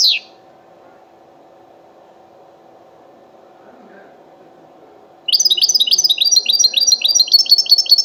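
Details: Wild goldfinch song in the bitbita style, tied to the Al-Quray'a Sunday bird market: a brief falling note opens, then about five seconds of near silence with a low hum, then a rapid burst of high, repeated, metallic notes.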